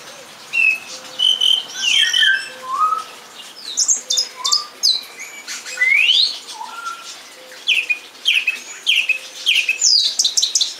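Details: Song thrush singing: a varied run of loud, clear whistled and chirped phrases, some rising or falling sharply, others buzzy and high, delivered in bursts with short pauses between them, over a faint low steady hum.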